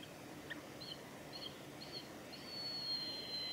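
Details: Juvenile mountain hawk-eagle at Isehara, Japan, on 29 November 2020: thin high whistled notes repeated about every half second, ending in one long, drawn-out whistle that slowly falls, over a quiet hiss of background noise.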